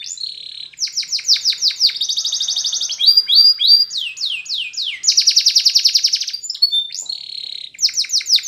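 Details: Singing Spanish Timbrado canary, recorded for training other canaries: rapid series of falling whistles, rolling metallic trills and sustained tremolo notes in quick succession, each tour repeated several times.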